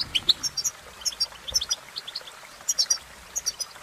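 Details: European goldfinch singing: sharp, high tweets and short liquid twitters in quick clusters separated by short pauses, against a light background hiss.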